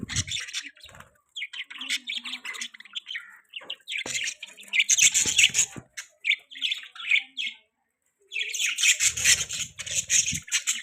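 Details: Pet budgies warble and chirp in long, fast, chattering bouts of high, rasping notes, broken by a short silence before a loud final burst.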